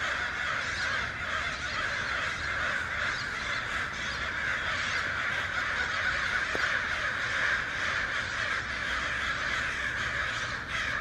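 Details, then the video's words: A large gathering of crows and other birds clamouring nonstop, overlapping raucous caws forming a thick steady din, with one sharp click partway through. "Crows and Birds Making Noise"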